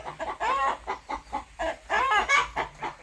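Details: Farmyard rooster clucking rhythmically, a series of short nasal harmonic notes roughly every quarter second, with two longer, louder bent notes mixed in, over faint low hum.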